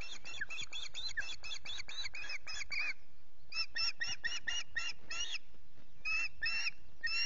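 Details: Male Osprey at RSPB Loch Garten on a misty morning after successful fishing: rapid, harsh, repeated piping notes in quick runs, with a short pause before the bursts resume.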